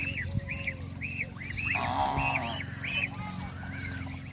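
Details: Call ducks meeting Cayuga ducks in a backyard; a run of short, high, arched quacks repeated about four times a second, a lower buzzy call near the middle, and a steady low hum throughout.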